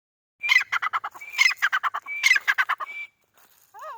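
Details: A pair of white-coloured captive-bred grey francolins (teetar) in Pakistan; the female gives loud, harsh, grating notes in quick bursts of about six to eight, each burst led by a sharp squeal.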